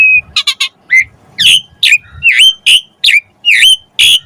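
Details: Asian pied starling song used to prompt other birds to sing: a brief level whistle, then a series of loud, harsh, slurred notes repeated about twice a second, each with a bright rising-falling whistled core.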